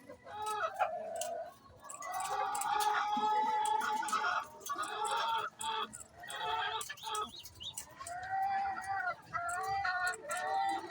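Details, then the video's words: Chicken calling before laying eggs: drawn-out, nasal, harmonic cackles and clucks that rise and fall in overlapping bursts. The calls repeat irregularly throughout, with brief quieter gaps. "Chicken makes noise before laying eggs"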